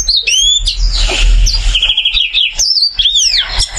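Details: Continuous varied song from a caged oriental white-eye with joined brows and a duck-like body: high thin whistles, a fast buzzy trill in the middle, then looping up-and-down slurs, with low background rumble.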